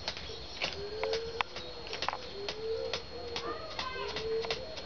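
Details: Courting Satyr tragopan with a series of low, hooting notes that slide gently upward, roughly one per second, mixed with sharp clicks and taps and a brief higher harmonic-rich sound near the end.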